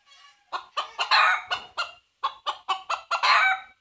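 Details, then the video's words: A red junglefowl seeking a mate: quickening clucks rise into a rough crow, break off, then another run of clucks climbs to a second harsh crowing burst. "សំឡេងមាន់ព្រៃរកញី - Jungle fowl"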